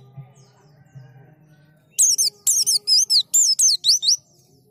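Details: A white-eye sings a fast, high, twittering burst of about nine bright, slurred notes after a quiet opening with a faint low hum, used as a lure to prompt white-eyes to sing.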